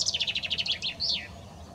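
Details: Common chaffinch song: a fast run of sharp repeated chirps stepping downward, ending in a brief flourish and a slurred descending final note, all high-pitched and loud against quiet background.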